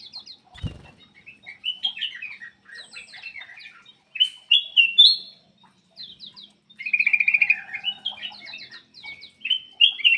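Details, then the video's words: Black-crested bulbul in vigorous song to prompt quiet birds: varied chirps and warbled whistles, a burst of fast repeated notes, and a rapid rattling trill, with a thump near the start. "PANCINGAN BURUNG MALAS BUNYI CUCAK EMAS \ KUTILANG EMAS GACOR"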